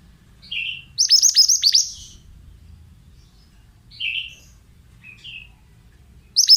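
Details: Therapy sound of a pied bushchat for untrained birds: short, soft, buzzy chirps around a vigorous run of descending whistles, isolated chirps repeated every second or so, and a new burst beginning at the end.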